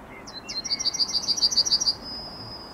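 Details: Morning song of a Yellowhammer, recorded 9 May 2021: brief opening notes, then a rapid run of high, evenly spaced chips followed by a long, steady drawn-out final note; quiet rural background with a faint lower call.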